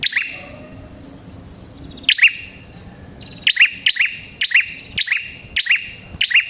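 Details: Prinia with a red head, played to lure prinias: after two quieter seconds one sharp double chirp, then a quick run of about seven high, metallic two-note bursts roughly half a second apart.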